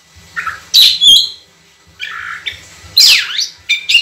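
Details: Oriental magpie-robin training song with long, clear phrases. Short whistles and a ringing high note lead into a harsh, wavering buzzy phrase, then quick chirps, over a soft low thrum.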